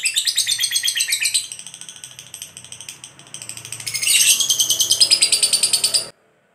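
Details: Lovebird ngekek, used to provoke other lovebirds to sing: rapid, shrill rattling chatter that fades to a quieter stretch midway, then surges loud again before cutting off.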